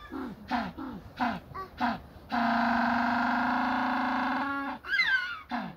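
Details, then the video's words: African penguin giving five short, hoarse honks about half a second apart, then a long, steady donkey-like bray lasting over two seconds, followed by squeaky notes. "African penguins, amazed with the sound coming out of the penguins"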